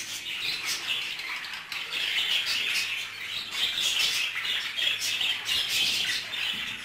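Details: Budgerigars mating inside their cage give a steady, dense stream of buzzy warbling and chirps, with fast ticking notes layered through the chatter.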